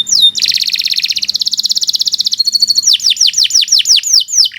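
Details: Nusantara canary song for tutoring: a long rapid buzzy trill followed by a string of clear descending whistles.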